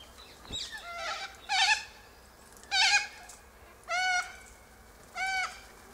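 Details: Flock of Sulphur-crested Cockatoos feeding high in a silky oak tree on seeds from pods; loud nasal squawks with ringing harmonics repeat roughly every second, each bursting out and cutting off abruptly.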